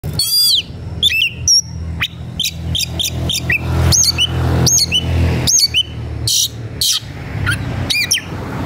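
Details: White-rumped shama, agitated and seeking a rival to fight, singing a lively run of sharp whistled notes, upward sweeps and buzzy bursts in quick succession over a steady low rumble.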